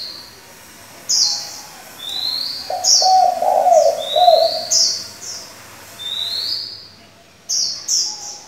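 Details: Spotted dove decoy bird calling in varied voices, used to provoke wild doves and train young doves; a low, throaty series of coos comes midway, while repeated high, rising whistled notes from other birds sound throughout.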